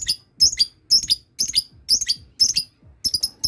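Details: Lovebirds calling as one learns the ngekek trill. Bursts of high, scratchy chatter repeat about twice a second, each burst broken into several clipped notes.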